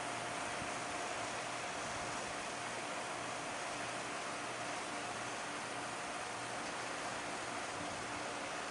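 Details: Constant broadband rushing noise with a faint steady hum, like traffic or a fan, and no animal calls.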